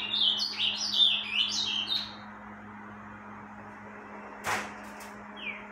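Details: Rufous-collared sparrow in breeding season singing a dense run of high, bright whistled notes for two seconds, then near silence with a dull thump and one short descending whistle; constant low hum.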